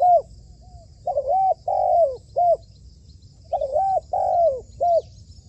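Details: Spotted dove used as a trained trapping decoy, cooing in two matching phrases of three notes each, short-long-short, the middle note longest and falling slightly, with a pause of about a second between phrases and faint low rumble.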